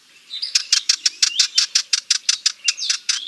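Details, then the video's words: Sardinian warbler uttering a scolding rattle, roughly three hard ticking notes per second-fraction in a quick, slightly uneven series, with a few thin whistled slurs mixed in, in a quiet setting. "Sardinian Warbler - Calls"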